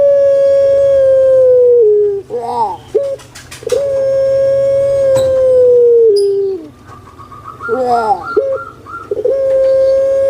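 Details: Puter pelung dove raised in Java, Indonesia, producing long booming coos each lasting about two seconds and sliding slightly lower at the end, broken by warbling bursts, with light chirps of other birds behind.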